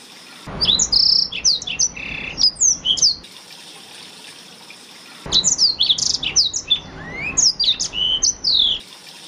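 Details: Master song of a Blackthroat for canary training, in two phrases: rapid, high, twittering whistles, a silent gap of about two seconds, then more chirps that include a rising whistled sweep.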